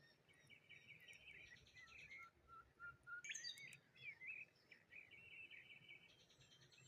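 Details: Cheerful morning birdsong by the water near a lone tree among rose hips: overlapping high chirps and whistled phrases, with a bright rising flourish in the middle and a steady hiss of background noise.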